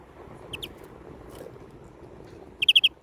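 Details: Short, bright greenfinch notes: a soft pair early on, then a loud, rapid burst of four clipped chirps at the end, against a quiet hum.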